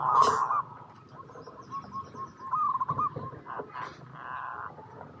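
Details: Local zebra dove, a prolific singer used as a lure to make other doves answer, giving a run of short soft cooing notes mid-clip, mixed with a sharp chirp at the start, rustling and a louder hum near the end.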